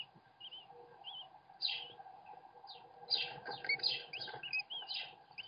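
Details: American kestrel nest, recorded by webcam, as the father feeds his chicks: overlapping squealing, wavering high calls and harsh rasping bursts, busier and louder in the second half, over a steady low hum.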